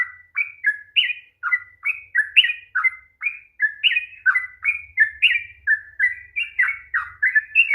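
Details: Sooty-headed bulbul in 'ropel panjang' long-song style, meant to provoke a lazy bird to sing; an unbroken run of about twenty bright, slurred whistles, with a faint low hum in the background.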